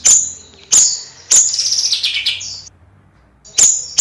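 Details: Bayeman calling in nyrecet style: a few loud, piercing high chips at uneven intervals, with a brief buzzy chattering warble and a thin held whistle between them.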